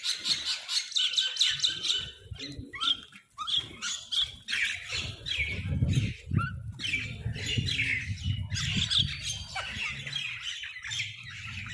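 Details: Crows fighting over food: a dense, continuous clamour of rapid harsh squawks and chatter from several birds, over a steady low rumble of background noise.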